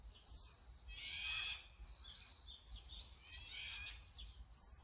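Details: Azure-winged magpie (Cyanopica cyanus), a corvid of about 37 cm, giving harsh, rasping high notes in short irregular bursts every second or so over a low background rumble.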